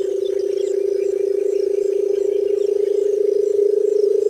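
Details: A continuous, deep, fast-pulsing purr from a barred buttonquail, steady in pitch throughout, with faint high clicks behind it.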